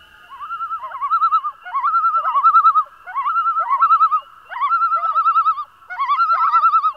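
Common loon giving a wavering, quavering laugh in repeated phrases of about a second each, with short pauses between them, over a quiet background.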